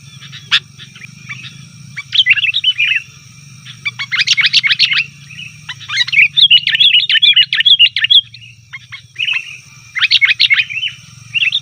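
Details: Sooty-headed bulbul lure recording of busy calling: a sharp opening note, then dense bursts of rapid, scratchy chirps and bubbly warbles in several groups, with a steady low hum and high whine throughout.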